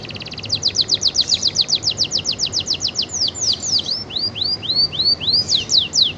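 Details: Atlantic canary (kenari) singing energetically, suited as a tutor song for other birds: long rapid rolling trill of high repeated notes, later slowing into separate descending sweeps, continuous throughout.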